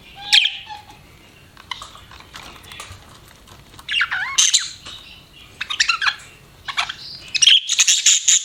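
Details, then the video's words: Pet budgies give scattered squawks and chirps, including a looping warbled phrase midway and a burst of high chatter at the close. "BUDGIES CHIRPING SOUND"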